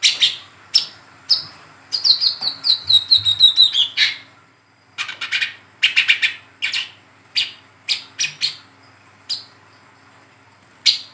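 A young Brown-throated Sunbird gives sharp, high chirps, first a fast descending twittering run, then single chips spaced about half a second apart.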